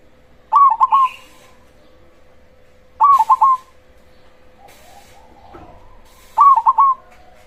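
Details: Persistent cemani zebra dove, kept singing to excite and provoke other zebra doves: three rapid, stuttered coo bursts about three seconds apart, with occasional clicks and a constant faint hum.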